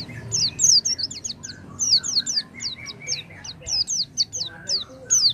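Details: Lure song of the Oriental white-eye for a bird that has stopped singing: a fast, steady stream of high, downslurred twittering notes, about three per second, with softer lower chirps between, over a low hum.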